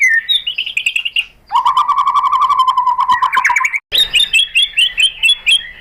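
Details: Shama lure song to spur other shamas into answering: a high chattering trill, then a long lower buzzy rattle, and after a brief break a bright rapid string of repeated whistled notes.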